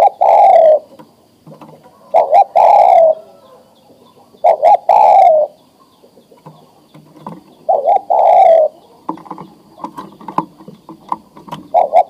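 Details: Breeding-ready male spotted dove summoning a female: repeated phrases of clipped double coos ending in a long, slightly descending coo, then softer scattered notes toward the end.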